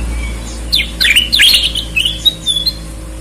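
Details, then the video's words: Sooty-headed bulbul singing actively, red-eyed and white-eyed birds compared: quick bright chirps and short whistled slurs in a brief burst with a drawn-out whistle after, over a low steady hum and background noise. "Burung kutilang gacor mata merah vs mata putih"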